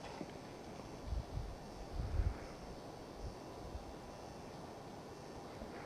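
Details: Outdoors on a mountain, gusty wind buffets the microphone, giving low rumbling thumps around one and two seconds over a steady airy hiss, with no animal calls heard.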